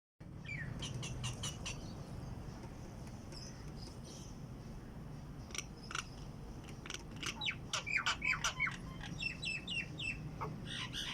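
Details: Bird singing in the morning outside a window: high, sharp chirps and short whistled notes in quick, irregular series, growing busier near the end, over a steady low hum.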